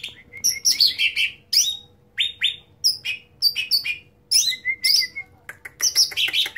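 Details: Loud, busy song of a cucak ranting (bulbul): dense sequence of high sharp upsweeps and falling chirps, with a few level whistled notes, nearly continuous with short pauses.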